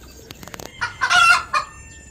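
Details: Backyard hen with her chicks, walking in a garden and eating grass and leafy greens: a few faint soft ticks, then a loud harsh squawk that swells and fades, followed by one shorter squawk.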